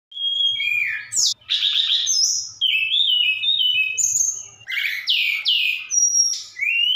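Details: Javan bush lark from Sukabumi in full active song, with fill-ins imitating cililin and sikatan londo: a rapid medley of high whistled notes, buzzy bursts and short trills with brief pauses.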